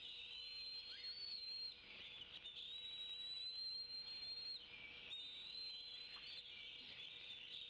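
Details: Two bald eagle eaglets at a Decorah nest on 25 May 2016, waiting for a breakfast fish as the parents bring and feed it; long thin high whistles drawn out over a constant shrill background hiss.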